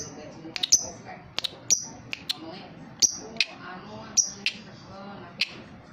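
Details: Young lovebird with a leg ring, described as a keen singer, giving sharp, high chirps singly and in quick pairs at irregular intervals, with faint low chatter beneath.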